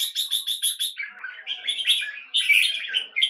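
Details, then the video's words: Caged red-whiskered bulbul kept in Singapore, opening with a fast run of bright repeated notes, then warbling, chattering phrases of varied chirps. "JAMBUL สิงคโปร์เลี้ยง นกหัวจุก- LONG TERKAN KEKE JAMBUL"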